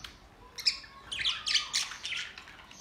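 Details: Budgerigars recorded May 29, 2023, with breeding noted: bursts of bright, scratchy chatter and short squawky chirps, loudest in the middle stretch, then fading to softer twittering.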